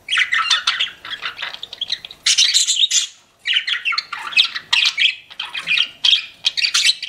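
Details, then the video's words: Pet budgies chirping in loud bursts of scratchy chatter and squeaks, with a brief quiet gap before the rapid calling resumes. "CUTE PET BUDGIES CHIRPING"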